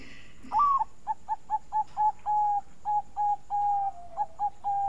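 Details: Melodious Bangkok-type zebra dove, kept as a lure to prompt other doves to sing, gives a rapid, stuttering run of short mellow cooing notes that slides into longer held coos, over a faint background hum.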